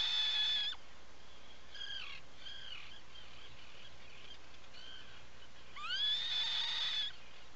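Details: Atlantic puffin in its nesting burrow on Seal Island National Wildlife Refuge, Maine, breeding colony; harsh drawn-out calls at start and end with rising harmonic bands, quieter groaning notes between.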